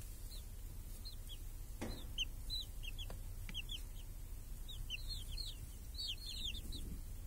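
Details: Chicks with hens under a protective cage in a village on a clear summer day, hunting flies and eating: bursts of high, down-slurred peeps, thickening toward the end, with a few sharp clicks and low background rumble.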